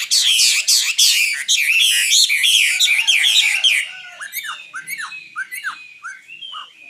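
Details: Loud common nightingale song, 2016: a dense rattle of rapid high notes for four seconds, then quieter, lower, separate whistled downslurs repeated about twice a second.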